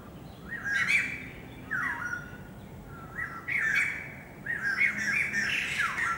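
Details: White-crested laughingthrush, recorded 27 January 2014, giving repeated harsh squawking bursts. Four chattering phrases arrive about every second and a half, some ending in a downward-sweeping note, over faint low background noise.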